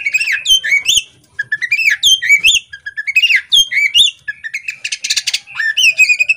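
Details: Caged female Oriental magpie-robin singing with its tail opened: varied clear whistled phrases, upslurs and downslurs, with brief gaps and one burst of scratchy noise.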